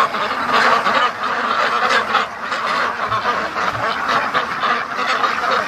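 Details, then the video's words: Big flock of free-range ducks coming back home from the lake to feed, raucous overlapping quacks filling the air, slightly quieter midway, then rising again into a busy, continuous chatter. "My Ducks Rushing To The Lake & Coming Back Home Everyday"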